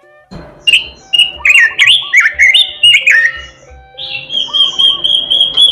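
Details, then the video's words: Robin singing melodiously, a rapid string of short, bright whistles and warbled slurs, followed by a long, steady high whistle with a quick chattering trill beneath, over faint tonal background sounds. "robin suara merdu gacor"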